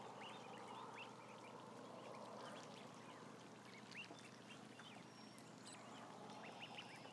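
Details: Roughly a thousand ducklings together, making rapid, irregular high peeps, each a quick upward or downward slide, nearly four per second, under a continuous rushing hiss.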